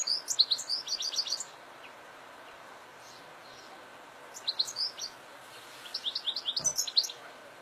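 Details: European goldfinch singing wild in open fields: bursts of rapid, high tinkling and twittering notes, a phrase at the start then two shorter bursts after a quiet gap.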